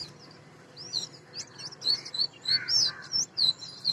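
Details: Oriental magpie-robin, named as the national bird of Bangladesh, giving a run of high, sweet whistled notes and short chirps, irregular at first, then coming quicker and louder near the end, over faint background hiss.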